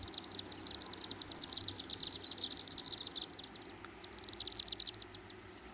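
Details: Chimney Swifts flying over downtown Osakis, Minnesota on June 12 give rapid, high, dry chittering twitters in long run-on bursts, with a short pause before a second loud burst.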